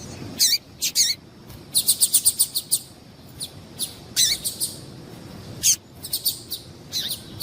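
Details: Female rusty-collared seedeater (papa-capim) call, used by keepers to excite a male so he keeps singing: bursts of high, thin chirps and tweets, some in quick runs of five or six, over a steady background hiss.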